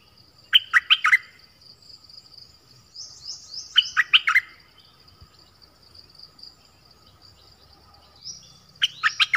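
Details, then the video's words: Quieter nok dok taeng double-style song for young birds to copy: three short bursts of rapid chirps about four seconds apart, with faint high thin notes drifting between them. "เสียงนกดอกแตงEp.5 Birds sounds เพลงเบิ้ล เปิดให้ลูกนก-ลูกเสอร้องตาม ใช้ต่อนกป่า เปิดให้นกคึก"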